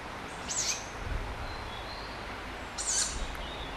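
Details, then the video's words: A group of wild tawny owl chicks at night in late spring or summer, crying out for food and keeping in touch. Two short, hoarse, high screeches come about two seconds apart over a quiet background. "Tawny Owl Chicks"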